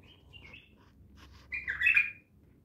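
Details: Untrained bulbul from Naft Khaneh: a few soft whistled notes, then a loud, rich, rolling warble lasting under a second, with light low hum behind.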